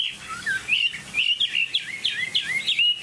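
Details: Chinese hwamei kept as a cage bird delivers clear, fluty whistled phrases that swoop up and down, each note slurred and repeated in quick succession with short gaps.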